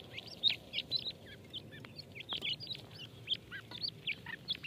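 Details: Grey francolin chicks feeding, calling in quick, high-pitched peeps; short hooked and upslurred notes tumble out several per second against a quiet, low background hum.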